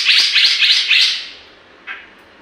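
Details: Grey-cheeked bulbul singing energetically, used as a lure bird to stimulate other birds; four quick bright chirpy phrases in a row, then a pause and one short separate note.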